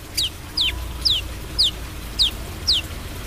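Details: Brown-throated sunbird. Six clear, piercing whistles, each sliding steeply downward, are evenly repeated about every half second against a faint low rumble.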